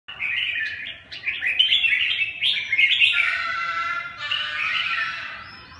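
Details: Red-whiskered bulbul, likely a kept bird being trained, singing a rich run of warbled, slurred whistled phrases, dense and continuous with a short pause midway and a long fading phrase at the end.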